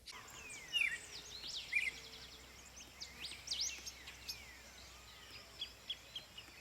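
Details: Red-crested Cardinal in spring at a nest under construction, singing: bright, varied chirps and short whistled phrases repeated every second or so, with other faint bird calls in the background.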